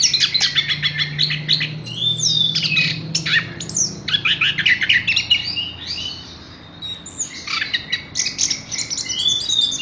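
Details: Continuous varied song of a Horsfield's bush lark: dense clusters of sharp high notes alternating with clear descending whistles, a short quieter stretch midway, then renewed chattering phrases.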